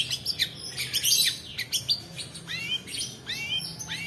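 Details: Long-tailed shrike giving long rolling song as a lure and training model: scratchy buzzy chatter in the first half, then clear downslurred whistles repeated about three times.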